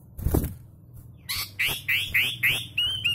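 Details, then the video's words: Sooty-headed bulbul, bred in captivity, giving its kutilang rasa murai song: a run of five or six loud rising slurred whistles about three per second, ending in a higher clear note, after a soft thump. "KUTILANG RASA MURAI - Sooty Headed Bulbul Sound"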